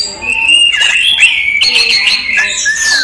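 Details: Daytime song from a captive orange-headed thrush: clear mid-high whistles run together with quick jumps in pitch, followed by brighter overlapping notes and short sharp chips near the end.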